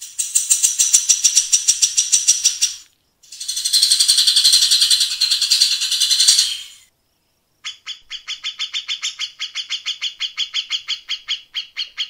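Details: Cucak jenggot, the grey-cheeked bulbul, delivering a coarse rapid-fire 'tembakan rapat besetan kasar' phrase used to tutor contest birds: two long harsh rasping bursts, a pause, then a fast even series of sharp repeated notes.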